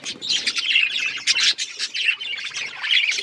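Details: Breeding budgies chirping busily: a constant stream of overlapping high twittering notes, buzzy squawks and quick chirps with no clear gaps.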